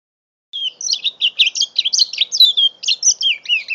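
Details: Song of a five-month-old mule canary, phone-recorded in November: from silence it launches into a steady stream of bright twittering notes and looping whistles, each phrase roughly a quarter second, evenly paced.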